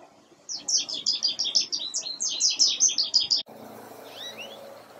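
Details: In breeding plumage, the black-capped male American goldfinch among them, a goldfinch delivers a fast, steady stream of high, bright chirps and twitters for about three seconds before an abrupt cut to quiet background with a faint distant chirp.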